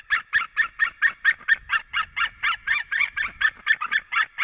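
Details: Male and female white-tailed eagles calling at their Latvian nest as the male returns, 23 February 2017, just after noon; an insistent, even chain of barking yelps, about two per second, running throughout.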